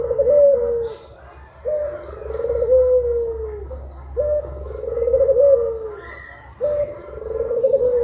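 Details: Four long low coos from puter pelung collared doves at midday, each swelling then fading downward, spaced about every two and a half seconds, a faint higher note between them.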